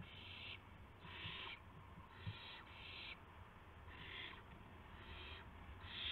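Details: Owl at dawn on March 26, 2016, around 5:50 AM, with a gopher and a mouse brought as prey. Harsh, breathy screeches come in uneven bursts about a second apart, with a constant low drone beneath.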